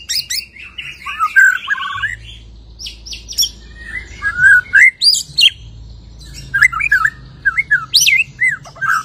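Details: Loud, varied song from a white-rumped shama just out of moult: clusters of slurred whistles, sharp descending strokes and brief chatters in quick succession, with short pauses and a faint hum behind.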